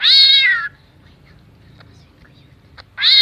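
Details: Greater green leafbird mimicking a cat and a chicken. A loud, harmonic meow-like wail opens, followed by near silence with faint clicks, then a second meow begins at the end.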